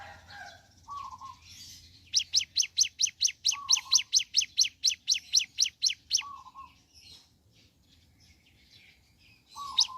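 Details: Ciblek gunung heard in the morning. A run of evenly spaced, piercing downslurred chips sits between quieter stretches, and a short low warbled motif repeats throughout.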